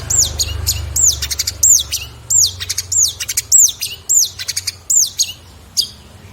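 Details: Long-tailed shrike, a caged songbird whose rich 2022 song material is kept for tutoring other birds. Bright, high whistles slide downward, repeated about every half second and mixed with quick chattering notes, over a low background hum.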